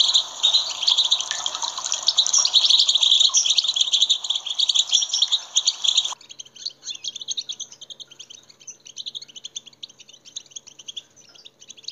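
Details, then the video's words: European goldfinch song used to stir other goldfinches into singing: a dense, loud run of high tinkling twitters and trills for six seconds, then softer scattered chirps and twittering notes continue to the end. "saka huylandırma sesleri"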